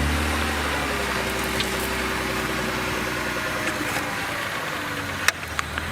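A car engine idles loudly at sunset in the African wild, its low drone constant, broken near the end by one sharp click and a couple of softer knocks.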